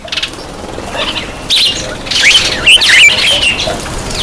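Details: While bathing, a black-eyed bulbul gives a few quick, squeaky slurred whistles partway through, over steady broad hissing and splashing-like noise.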